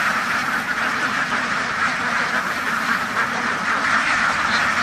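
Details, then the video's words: Many farm ducks at a duck farm, their massed quacking merging into a steady, dense, unbroken din with no single caller standing out. "duck farm ducks house بطخ بطخوں کا فارم"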